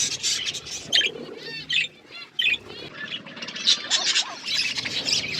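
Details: Budgerigar flock while eating food: busy, overlapping high warbling chatter and chirps, bursts every second or so, with short quieter gaps between volleys.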